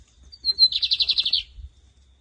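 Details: Lined seedeater (bigodinho) competition song, styles named camelão and torneiro, 2023 season: a thin high whistle slides into a fast buzzy trill of about ten even notes, lasting around one second, over faint low background rumble.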